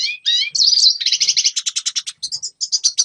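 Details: Red siskin singing, recorded for training young birds: opens with a couple of rising whistled notes, then a shrill buzzy trill breaking into evenly spaced chirps, about eight per second.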